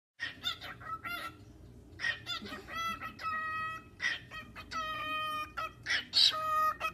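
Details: A male cockatiel (Nymphicus hollandicus) sings to his feathers with bright, steady whistled notes mixed with short scratchy chirps, repeating in quick phrases over a low background hum.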